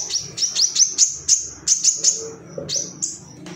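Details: Ruby-cheeked sunbird, an agitated male seeking rivals, in a recording used to train other birds to sing: a run of very high, thin chirps and short sharp notes, about two per second, then a few longer whistled notes.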